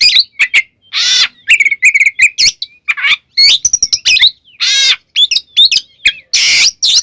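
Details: White-rumped shama song for provoking other shamas: quick clear whistles and slurred notes interspersed with several long, loud rasping buzzes, delivered in a lively, varied sequence.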